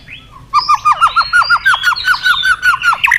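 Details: White-rumped shama (murai batu) in energetic lure song meant to prompt other shamas to sing: after a short soft note, a fast run of about a dozen loud, sharply down-slurred whistled notes repeats steadily, with buzzy overtones above.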